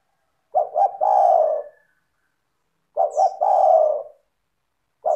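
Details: Lure song of a vigorous spotted dove (tekukur) to make other doves answer: low mellow coos, each phrase two clipped notes then one sustained falling note, repeated roughly every two and a half seconds, two full phrases plus another starting.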